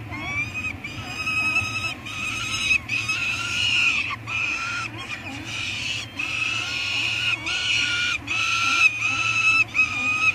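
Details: Peregrine falcon eyasses at a nest on Anacapa Island, recorded by a live nest camera on 18 May 2022 while food is brought in; repeated harsh, wailing begging calls with strong harmonics, rising and falling, nearly continuous with short gaps, over a steady low hum.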